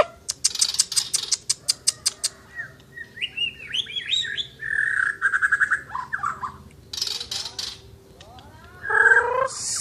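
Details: Asian brown flycatcher (mure bordan) in full song: sharp, fast chirps open the phrase, then a varied run of warbled, slurred notes and trills. Clicking and rustling noises come between phrases over a low steady hum.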